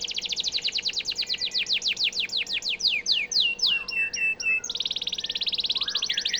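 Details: Canary singing as a model for White-rumped shama training: a long series of rapid descending whistled strokes slowing into broader swooping notes, then a fast even trill at the end.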